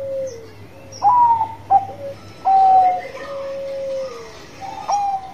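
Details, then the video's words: Zebra dove of the Bangkok type in vigorous song, giving bright accented coos separated by short gaps over a soft, continuous lower cooing tone that slides downward. "PERKUTUT BANGKOK GACOR"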